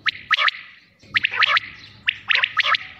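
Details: Quail calling: three bursts, each a quick cluster of two or three sharp, liquid notes, spaced roughly a second apart over a low background hum.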